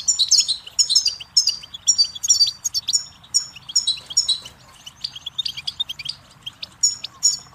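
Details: Goldfinch song tape for young songbirds: bright, rapid twittering phrases of silvery notes, repeated in short bursts, fading into sparser chirps toward the end.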